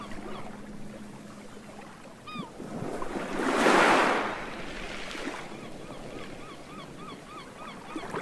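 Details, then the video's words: Gulls crying overhead at a beach give short, arched, nasal cries: one near the start, then a run of quicker cries toward the end, over steady surf and one loud breaking wave. "Calming sea sound effect with seagulls"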